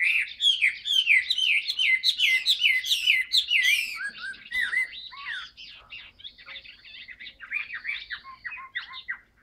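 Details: Caged Chinese hwamei singing: a loud run of rapid, repeated slurred whistles sweeping down, about two per second, then softer varied whistled phrases and short notes trailing off.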